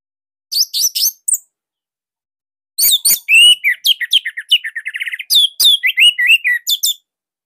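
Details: Orange-headed thrush song, described as unique, slightly dense and loud, used as a master to coax young or silent birds into singing: a brief burst of high sharp notes, a pause, then a rapid varied run of chirps, slurs and trills.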